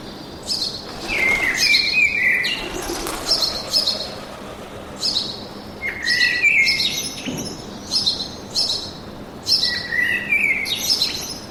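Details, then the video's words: Forest bird chorus: a steady series of bright chirped and whistled phrases, one after another every second or two, high-pitched over quiet background hiss. "Пение птиц в лесу"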